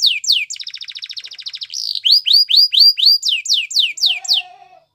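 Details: Canary, singing for training purposes: a couple of falling whistles, a long rolling rattle, then repeated bright up-slurred notes and a series of quick down-slurs that fade out at the end.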